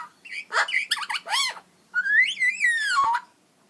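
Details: Magpie making unusual, robot-like sounds: a burst of quick warbled and bent whistles, then a pause, then a long gliding whistle that rises and falls before ending in a sharp click. A faint low hum runs underneath.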